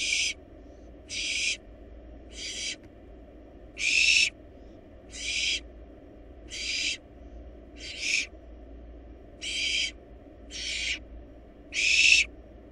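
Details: Eleven short, harsh hisses from barn owl nestlings in a wild nest box during a rabbit meal, each under half a second, coming at irregular intervals over about thirteen seconds.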